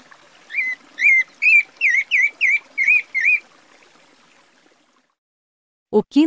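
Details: A Pale-breasted Thrush (Turdus leucomelas, sabiá-barranco) in Brazil sings eight short, warbled whistles in about three seconds, each slurring up and down at a mid-high pitch, then silence before a brief, lower sound.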